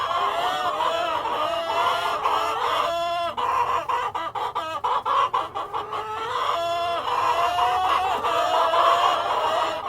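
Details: Hens with a cockerel in a farmyard chorus: overlapping nasal cackles and long wavering calls, broken midway by quick staccato clucks repeated several times a second, then the drawn-out calls swell again.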